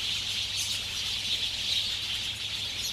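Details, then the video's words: Many sparrows chatter at a dusk roost in rural Ngahinapouri, Waikato, New Zealand, late summer, February 2021. Overlapping high, squeaky chirps merge into a steady busy chorus, with a few brighter twittering notes standing out. "Sparrows roosting at dusk"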